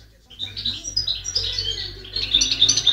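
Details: European goldfinch singing in 2010: a run of quick, bright chirps and tinkling twitters, sparse at first and then denser toward the end, over a low steady hum.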